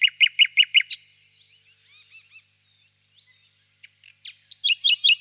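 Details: Nightingale singing far off in a birch grove on a warm spring evening: a run of loud repeated chirps, then soft distant twittering, then another bright repeated phrase.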